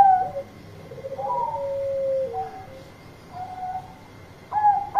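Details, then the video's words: Bangkok zebra dove calling to companions with loud song: a soft trilled purr and a long level coo, then scattered short coo notes ending on a sharp burst, with a steady faint whine throughout. "Perkutut Bangkok Gacor Suara Keras Panggil Teman"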